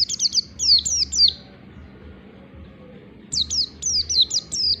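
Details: Oriental white-eye in the standard dense, long ngalas song style, used as a lure to trigger singing. A burst of fast, high, slurred twitters, a quiet gap of about two seconds, then another tight run of shrill notes.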